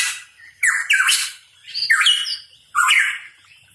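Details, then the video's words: Cucak rawa papua, the hooded pitohui, singing energetically: loud, harsh squawking phrases with whistled tones underneath, three bursts in under four seconds. "Cucak Rawa Papua Gacor | Pitohui Bird Chirping"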